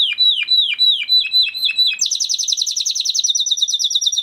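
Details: A male crested Spanish Timbrado canary, bred in 2020 and kept with a flock, performs a training song. Swooping downward notes repeat about four times a second, then switch to a very fast, bright, buzzy high trill.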